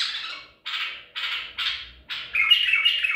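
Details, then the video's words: White-eared bulbul, Baghdadi style, trapped at Medical City in April 2021: four harsh, rasping notes about half a second apart, then a continuous bubbling whistled phrase. "تغريد بلبل طور بغدادي"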